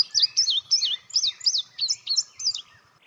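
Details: At Natural Tunnel State Park, an Indigo Bunting sings a bright, high "fire, fire, where, here, here, see it, see it" song. It has about ten sweet slurred notes grouped in quick pairs over three seconds, tapering off at the end.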